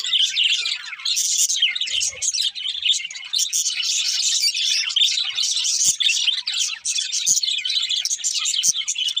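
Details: Several happy budgerigars singing while eating: a dense, unbroken stream of high chirps, squeaks and warbled twitters overlapping one another, with a few faint low taps in the background.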